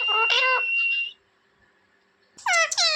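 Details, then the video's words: Pet talking parrot kept at home, chirping: a loud, harsh burst of rasping calls, then a near-silent gap and another grating, nasal squawk. "Talking parrot chirping sound"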